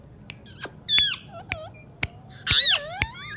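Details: Alexandrine parakeet talking: a few scattered, separate sounds, including sharp clicks, a bent whistled note and a longer harsh, buzzy, speech-like burst near the end.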